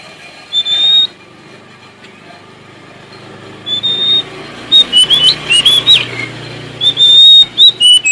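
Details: Sumatran Oriental magpie-robin, a male, singing to challenge rivals: a single high whistle, then a burst of short sliding whistled notes and clear high whistles, over a low steady hum.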